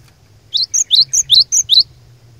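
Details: Cinereous tit (glatik batu) lure song, vigorous and challenging, meant to provoke rival tits into singing: seven quick high two-part notes, a sliding whistle paired with a sharper chip, over faint low hum.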